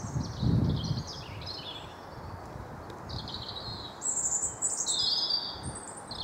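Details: Wild blue tit singing in an English garden, Wyre Forest, UK: scattered high chirps, then a bright burst of clear high notes near the end, over faint low noise.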